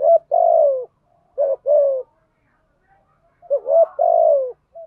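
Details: Spotted dove used as a lure to excite wild doves. Three repeated phrases, each opening with a quick double note and ending in a sustained, gently falling coo, with short silences between.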